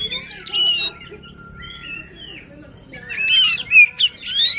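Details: White-rumped shama singing with strong emotion, used to stimulate a quiet bird into singing: bursts of rich whistled and buzzy phrases separated by a near-silent gap with a faint steady tone.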